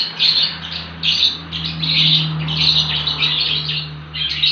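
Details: Baby lovebird in continuous ngekek chatter, bursts of high scratchy chirps pulsing about once a second over a steady low electrical hum.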